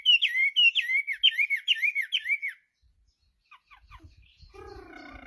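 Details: Chinese hwamei singing: five loud whistled phrases, each a sharp upward slur falling into a wavering downward note, repeated about twice a second, then a pause with faint chips and a low nasal harmonic tone near the end.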